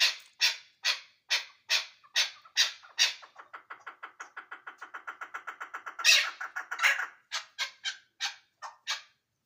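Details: Ishkoshim chukar partridge: spaced harsh chuck notes slide into a quick run of soft clucks, then two loud rasping calls and a few more spaced notes close the sequence.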